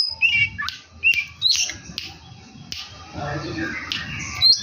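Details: Kacer, the oriental magpie-robin, in lively song rich in fill-ins: short whistled notes and sharp snaps, then a rougher, noisier passage with a faint murmur of voices.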